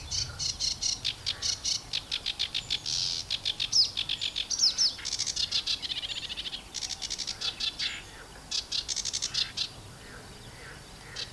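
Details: A very close, angry sedge warbler sings on the bush holding the microphone, pecking at the mic: a fast, unbroken torrent of harsh, scratchy chatter mixed with higher whistled notes, running without pause for over ten seconds.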